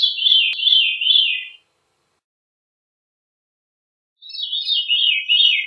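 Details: Veery singing: a rolling, downward-spiraling fluty phrase, then a gap of silence and another descending reedy spiral.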